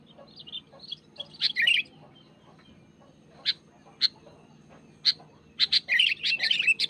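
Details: Wild sooty-headed bulbul singing vigorously while pressing a rival: scattered bright chirps and short whistled bursts, pausing between notes, then a dense burst of rapid chattering notes at the end over a low steady hum.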